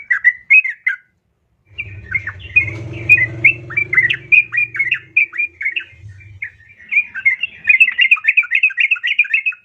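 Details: A female yellow-vented bulbul calls for a male, used to coax other bulbuls into singing: lively, scratchy chattering phrases of quick rising and falling notes, with a low rumbling, rustling noise partway through.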